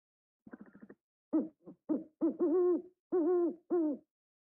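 An owl gives a quick stuttering run of notes, then five mellow, slightly wavering hoots about half a second apart, in a quiet setting.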